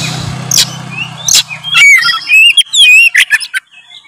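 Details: Oriental magpie-robin song to provoke a lazy bird to sing: low hum and scratchy noise at first, then clear rising whistles and quick chirps in a rapid run.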